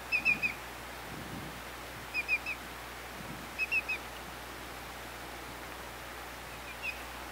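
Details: Greater yellowlegs repeating short groups of three clear, high, falling whistles, spaced roughly every two seconds, ending with a single note, over a soft hiss.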